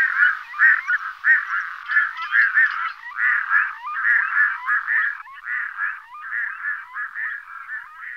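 Red-throated Loon giving a continuous, goose-like cackle of harsh, nasal notes, about one and a half per second, with no other sounds.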